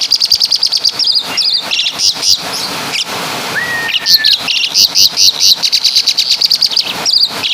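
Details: Asian pied starling from Java singing kapas tembak and caladi imitations: fast, rhythmic high twitters throughout, interrupted midway by one long, even whistle.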